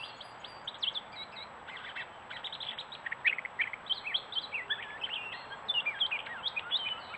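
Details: Gray catbird in woods of Strafford County, New Hampshire, caught by a trail camera: a long rambling song of quick varied chips, squeaks and slurred whistles, tumbling without pause, over faint hiss.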